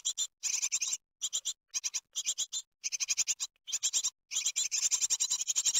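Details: Great tit chicks at a nest in Ostwald, France, on 23 June 2020, begging while being fed a large, hard-to-eat larva; shrill high chirps come in rapid bursts separated by brief silent gaps.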